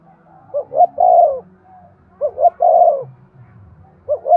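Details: Repeated spotted dove cooing, used to spur males to coo: two complete phrases of short notes and a long falling coo about two seconds apart, then the opening notes of a third.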